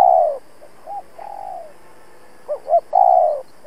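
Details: Caged decoy spotted dove calling to challenge rivals, as used in trapping; a long purring coo, soft short notes, then two quick rising coos leading into another drawn-out, gently falling coo.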